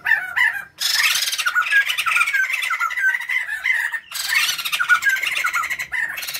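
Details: White-crested laughingthrush pair, male and female, calling vigorously as a lure recording: a short chatter, then two long bouts of loud harsh cackling with repeated laughing notes, divided by a brief break.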